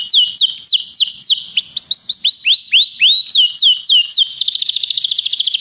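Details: Belgian canary tutor ('professor') in vigorous song: a string of falling and rising slurred whistles, several per second, breaking into a very fast, even trill at the end.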